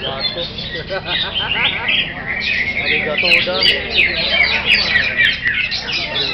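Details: Greater green leafbird in full song: dense, rapid chirps, twitters and short sweeping notes packed closely together, with a low hum and murmuring voices underneath.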